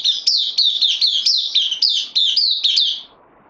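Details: Caged bulbul, a newcomer on loan, recorded 12 September 2020: a fast run of bright, sharply falling chirped notes, about four each second, evenly paced for three seconds before stopping, with faint low background noise.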